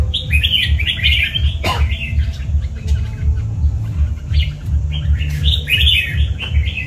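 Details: Kept red-whiskered bulbul, tiger type, sings two chattering phrases of bright warbled notes separated by a pause with a sharp noise, while a regular low throbbing beat runs underneath.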